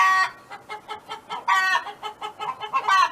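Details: Hen singing on a neighbour's farm: loud opening squawk, then a run of evenly spaced soft clucks, two more harsh squawks rising in strength toward the end.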